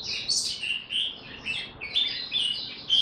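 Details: Oriental white-eye, a kept songbird in training form, singing 'buka tiong aw': high wavering chirps and slurred whistled notes in a continuous jumbled stream, over noticeable background hiss.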